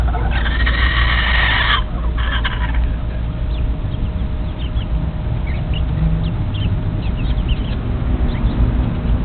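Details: Mixed Silkie chicks, a cross of a black Silkie with an Easter Egger rooster: faint, short, downward-slurred peeps scattered through the second half, after a loud rustling burst at the start, over steady low rumbling background noise.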